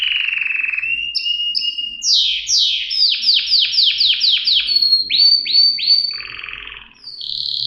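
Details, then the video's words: Canary song with varied phrases: a low whistle, short high piping notes, a run of rapid downward-sweeping slurs repeated about eight times, then a brief rough burst and a final whistled note. "صدای قناری"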